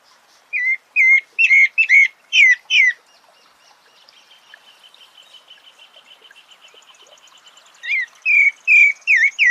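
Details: Sabiá (thrush) delivers a burst of rapid whistled notes, then a long, soft, buzzy trill running steadily for several seconds, before loud slurred whistles resume at the end.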